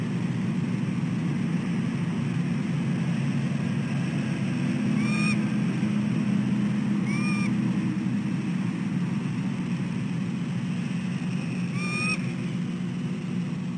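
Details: Bald eagle female at the nest at dawn on 4 December 2013, calling repeatedly for her mate to take over incubation: three brief, thin upslurred whistles spread several seconds apart, set against constant low droning background noise.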